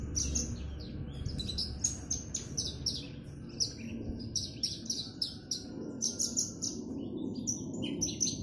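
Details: High, varied chirping song of a Javan bush lark set out in the sun in its cage: quick clusters of sharp, thin notes with short gaps between bursts.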